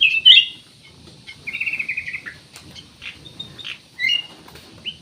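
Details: Black-naped oriole singing hard, used to draw other birds into song: a loud sharp chirp, then a steady buzzy trill, then spaced high slurred notes and a final upward whistle.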